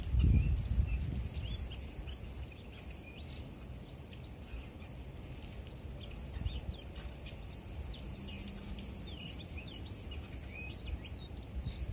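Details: A hand-tame Daurian redstart, likely near migration departure, sings softly rather than its usual calls: a quiet, rambling song of short, high squeaks and twitters, set low against a steady rumble with a brief thump at the start.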